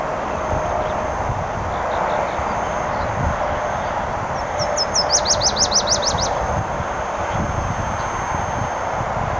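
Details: Nashville warbler singing on territory beside the Clark Fork River along a gravel trail in riverine and upland habitat, Missoula, Montana: high thin notes, then a fast run of about seven sharp descending sweeps, over heavy low traffic rumble.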